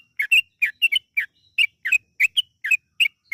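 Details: Lure recording of a yellow-vented bulbul for prompting long rapid song: evenly spaced bubbly notes, some doubled, rising and falling in quick succession.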